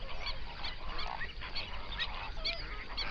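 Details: Honking of hundreds of flamingos gathered on a lake in an Overberg national park, South Africa, at sunrise; short nasal honks repeat every fraction of a second over a steady murmur of the flock.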